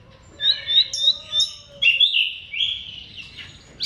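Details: Bar-winged prinia song used to prompt silent or stalled birds to sing: varied short whistled phrases, some slurred and falling, others buzzy, given irregularly, with a faint low hum beneath.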